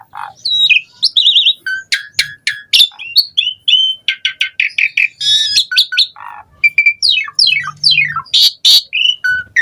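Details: Lively song of an Asian pied starling, full of variations and played as a lure for other starlings: dense chirps, rattling clicks, sweeping whistles and rasping bursts in quick succession.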